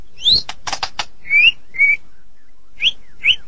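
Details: A Medan White-rumped shama sings a sparse phrase: an upslurred whistle, harsh rasps, then separate clear whistled notes with short gaps between.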